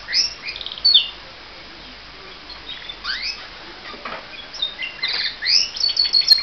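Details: Pet canary singing in the morning: short burst of trills and chirps, a pause, then scattered rising sweeps and fast twittering trills building toward the end.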